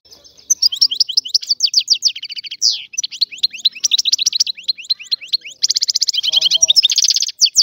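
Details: Wild Algerian European goldfinch singing a fast, continuous twittering song of bright, high chirps and buzzy trilled bursts, with short rattling runs and a brief lower harmonic rasp near the end.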